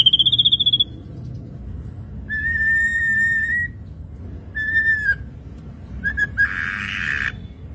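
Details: Lively ashy drongo in full song, used as a lure recording: a fast trilled whistle near the start, then long level whistles and short whistled phrases, ending in a harsh buzzy burst; low background rumble.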